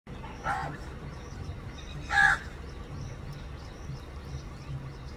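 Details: Crow calling its partner while looking here and there: two harsh single caws, a faint one near the start and a louder one about two seconds in, over steady low rumbling background noise.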